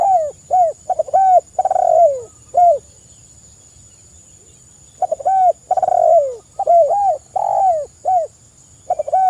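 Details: Spotted dove (tekukur) in full song for use as a luring and training recording. A run of quick arched coos builds to a long falling coo. After a few seconds' silence the phrase repeats, over a continuous thin whine.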